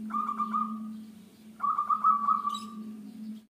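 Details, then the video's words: Local zebra dove (perkutut) in full voice, suited for luring birds to a trap. Two stuttering, purring coo phrases, each made of quick pulsed notes that run into a drawn-out trill, over a steady low hum. "PERKUTUT LOKAL GACOR,COCOK BUAT PIKATAN"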